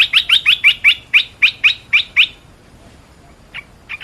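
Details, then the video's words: Red-whiskered bulbul, kept as a cage bird, in a lure and training recording. About nine quick, sharp, downslurred notes come in a rapid run. A pause follows, then a few softer notes. "เสียงนกกรงตาแดงEp.265 I เสียงต่อนกกรงตาแดง"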